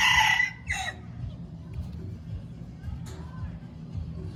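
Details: Red junglefowl crowing: a loud, harsh, buzzy burst with stacked harmonics in the first half second, a shorter second note, then quiet with a steady low rumble and faint distant sounds.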